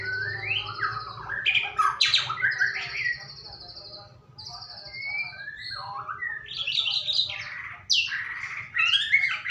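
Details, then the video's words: White-rumped shama lure song intended to get a bird singing: long, varied sequence of high steady whistles, quick slurred runs and sharp chattering notes, loud in places, with a low hum behind. "Pancingan burung murai batu agar bunyi"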